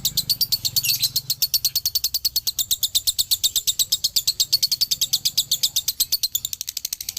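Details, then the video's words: Male lovebird from Galendo, Ciamis, performing its extended 'dobelan' song, a training recording: continuous rattling trill of sharp high chirps repeated several times per second, steady and unbroken across the whole stretch; faint low hum. "SUARA ASLI DOBELAN LOVEBIRD JANTAN"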